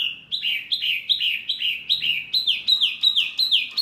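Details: Training song used to make pet birds such as murai, kacer, cucak ijo and jalak respond: quick falling notes repeated roughly three per second, creeping slightly higher and louder toward the end.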